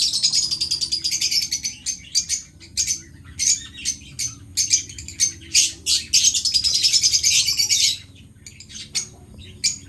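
Lovebirds chatter in rapid, shrill, high chirps, bursts tumbling over each other several times a second with brief pauses, and no other sounds.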